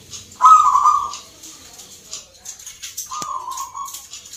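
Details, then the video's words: Zebra dove entered in a Nglagu Ngepat Mentaraman rhythm contest in Yogyakarta, Indonesia. A loud rolling coo is followed about two seconds later by a softer one, while faint chirps fill the background. "IRAMA BAGUS, PERKUTUT LOKAL GACOR, TURTLE DOVE,ZEBRA DOVE, BIRD SINGING"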